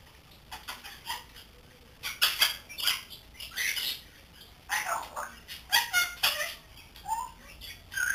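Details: Grey parrot aged three months, a pet learning to talk, chatters in a fast run of harsh, broadband squawks and clicks with a few short tonal squeaks.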